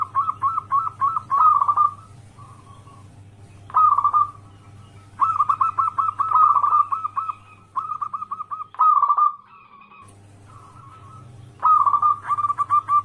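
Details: Lure call of a local wild zebra dove meant to make other doves answer: quick chains of clipped cooing notes broken by rolling trill flourishes, repeated throughout, with a steady low hum beneath.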